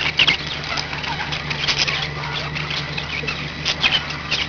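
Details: Pet budgerigars give short raspy squawks and bright chirps, loudest at the start and near the end, with continuous soft warbling between and a low hum beneath.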